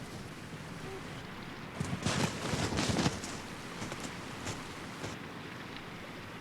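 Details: Soft outdoor background hiss, broken by a burst of crunching, rustling footstep-like sounds around the middle, with a few fainter rustles afterward and no animal voice.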